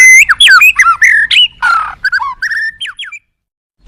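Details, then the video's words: White-rumped shama at a song contest on the hanging pole: a varied burst of loud whistles and twisting notes, a harsh rasping note, then short whistled phrases before silence. "burung ganas full isian mewah #murai"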